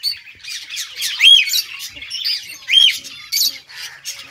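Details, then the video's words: A budgie chirps happily, giving two prominent arched, squeaky calls about a second and a half apart amid rapid, scratchy chatter and squawks. "Budgies sounds | Budgies singing | Budgies bird happy sounds"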